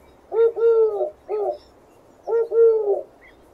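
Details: Two soft, hollow dove coo phrases, each a short note, a sustained two-part coo and a clipped ending note, separated by a pause of about a second against light background noise.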